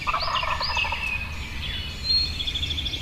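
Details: Wild turkey tom gobbling from the roost before dawn, in full moonlight near a field edge along a wood line: a rapid rattling, bubbling gobble at the start, with other birds calling high overhead throughout.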